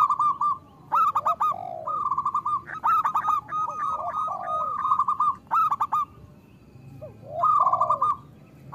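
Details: Zebra dove of local stock singing loudly. Fast rolling trills of cooing notes, broken into bursts by sharp clicks and lower sliding coos. One quieter stretch comes before the loud phrases return.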